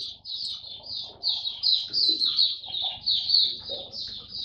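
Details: Nonstop high warbling from a kept white-eye on a song booster supplement, recorded 3 November 2022: dense chains of quick chirpy notes strung together with almost no gaps, a slight dip in loudness early on, and a faint background hum.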